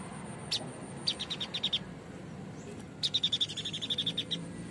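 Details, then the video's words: White-breasted babbler singing loudly and steadily; brief opening notes, then fast, even trills of bright, high beaded notes, the second series longer at about a dozen notes, over light background hiss. "Tembakan burung sniper atau Tepus dada putih gacor"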